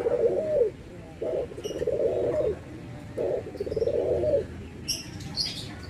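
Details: Barbary doves, white and brown birds compared, giving anggungan cooing: three low rolling coo phrases, each a short note followed by a longer purring trill, with brief high chirps from other birds near the end.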